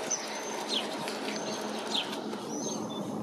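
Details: Red-legged Thrush (Turdus plumbeus) at South Pointe Park, Miami Beach, Florida, 29 June 2019, a rare North American record. Two thin, high, downward-sliding notes stand out against a steady background hiss and hum.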